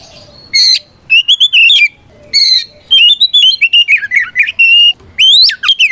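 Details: Oriental magpie-robin fighting song meant to stir other birds into answering: harsh buzzy bursts alternate with runs of sweet whistled notes and quick upward-hooked whistles.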